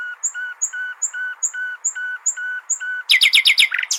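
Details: Common nightingale singing, used as a tutor for goldfinches: a steady run of about eleven clear, piping notes, evenly spaced, building into a loud, harsh rattling flourish at the close.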